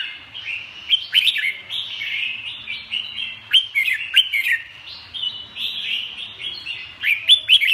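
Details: Red-whiskered bulbul singing a lively run of warbled phrases, with sharp rising whistles and quick slurred notes bunched into bursts roughly every second, over a faint low hum.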